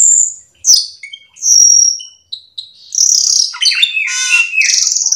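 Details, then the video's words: Cucak keling in full song to lure others of its kind into calling: a high whistled note, sharp chirps and a long buzzy phrase, then dense overlapping trills and rasping notes building toward the end. "pancingan cucak Keling gacor teler Full isian"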